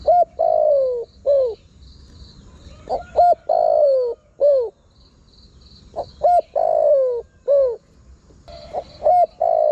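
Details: Decoy recording of a spotted dove calling to attract wild doves: repeated phrases of short clipped hoots and longer descending coos, each phrase separated by pauses of a few seconds, with a faint steady high hum.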